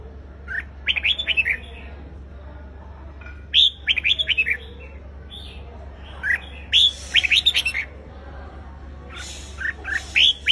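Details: Red-whiskered bulbul singing a competitive song meant to provoke a wild-caught bird into answering; bright, rapid whistled warble phrases in four short bursts roughly every three seconds, with a steady low hum underneath.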